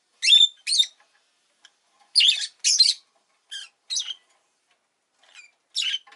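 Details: {'caption': 'Rosy-faced lovebird producing sharp, squeaky chirps, mostly in pairs, with softer short notes scattered among the louder calls.'}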